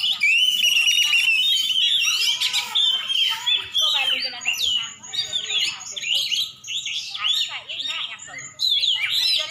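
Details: Oriental magpie-robin, champion bird from Aceh, in continuous song: bright rising and falling whistles, buzzy trills and quick chirp runs, with brief pauses near the end.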